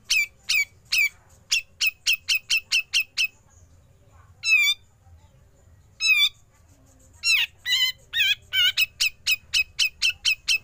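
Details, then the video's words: Grey-cheeked bulbul in a training recording mixing besetan rasps with ngepik notes: quick runs of sharp, high, downslurred chips, broken by two wavering trilled phrases, then a denser burst of chips and warbled notes. "Besetan Cucak Jenggot Lanjut Ngepik"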